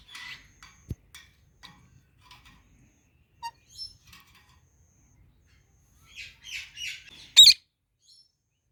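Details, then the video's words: Two parrots eating mango give scattered soft chirps and scratchy notes, then one sudden, loud, harsh screech near the end, with quiet pauses between sounds. "Parrots Making Cute Sounds"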